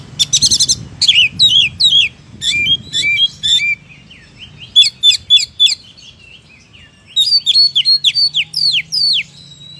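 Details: Oriental magpie-robin (kacer) singing vigorously: long series of rapid, sharp downslurred whistles repeated in rhythmic bursts, with a short gap midway before another quick run of ringing notes.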